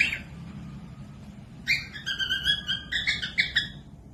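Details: Cockatiel song for tutoring lazy or young birds to sing; after a short faint note, a bright run of clear whistled notes with harmonics, steady then stepping up and down in quick phrases.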